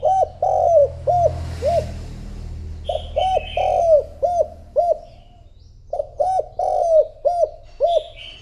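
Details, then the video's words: Decoy spotted dove calling to provoke wild rivals, giving phrases of six or seven fast, deep coos separated by short pauses, with light twittering of other birds and a soft rumble of background noise. "Cu gáy mồi thúc gù gọi bổi , kích cu gáy gù gáy"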